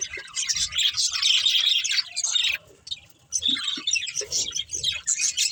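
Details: Pet budgerigars playing and eating, chirping in a busy overlapping chatter of high warbling notes, pausing briefly before resuming, with soft low rustling beneath.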